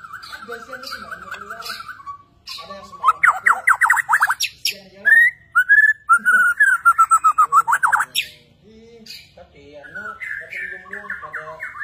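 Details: Borneo white-rumped shama singing actively with bowing movements. A long sequence of rapid, loud, chopped whistled notes pours out in bursts, broken by quieter fluttering warbles and pauses.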